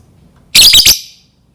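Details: Lovebird call meant to draw lovebirds into singing: a short, piercing triple chirp, loud and harsh, then quiet.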